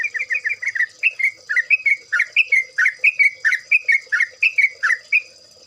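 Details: Yellow-vented Bulbul chattering song used as a lure: continuous bubbly, slurred whistled notes, rising and falling in quick pairs and triplets, about three notes a second, with a faint constant high hum underneath.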